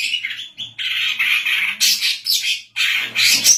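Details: Female greater green leafbird, a lively singer kept for training other birds and luring: harsh, scratchy bursts of high chatter in quick runs, with short gaps between rasping phrases.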